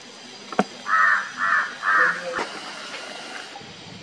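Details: Himalayan Jungle Crows calling in winter in the middle Himalayan ranges near the Jaonli and Gangotri peaks, while a Himalayan Griffon Vulture soars on thermals: three harsh, even caws about half a second apart, then a quiet background with faint clicks.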